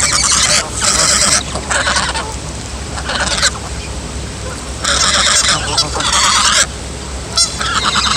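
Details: Young female goose, a gosling, making strange loud honks: several harsh, buzzy bursts of varying length, some long and drawn out, separated by brief pauses, with a constant low background hum.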